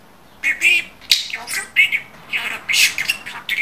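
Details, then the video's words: A budgerigar kept at home utters a brief Turkish phrase after a moment of quiet: a few high, buzzy, rasping syllables, the loudest near the end. "BEN ANNEMİN OĞLUYUM, BEN AKILLI BİR KUŞUM"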